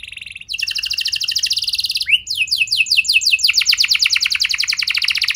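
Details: Canary song meant to prompt other canaries to sing, with a short buzzy note, a quick high trill, a rising slur, then rows of repeated downward-sweeping notes rolling on without a break.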